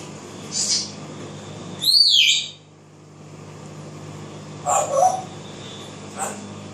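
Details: Pet African grey parrot singing and imitating voices indoors: a short high buzzy note, then a loud whistled phrase that dips and rises, later a harsher broken note and a brief high chirp, over low steady room hum.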